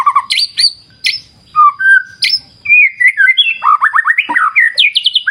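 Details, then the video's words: Caged white-rumped shama singing over a river backdrop: loud, varied phrases of clear whistles, sharp chips and rapid descending slurred notes, delivered in quick bursts with brief pauses. "Terapi Murai Batu Ala Alam Liar Sungai Jernih"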